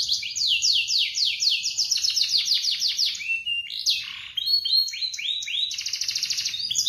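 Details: Canary singing at morning, used as therapy for silent or young canaries: rapid descending slurred trills, a burst of swooping notes midway, and a fine fast buzzy trill at the end.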